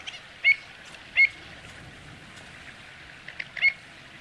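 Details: Pied avocet giving three short, clear, high calls at uneven intervals over a steady background hiss of wind or water.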